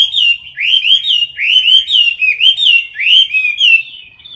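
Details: Caged Chinese hwamei filmed close-up in competition-style singing, bursting into song when lightly hissed at: rich, rapid whistled phrases, rising and falling slurs repeated in quick succession with bright overtones, loud and continuous, no other sounds.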